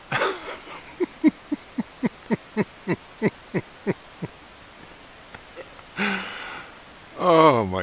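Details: Kookaburra calling in the dark just before dawn at Mt Field National Park, Tasmania, Australia, in May 2012: a run of about fifteen sharp chuckling notes, roughly four per second, then a person's excited voice.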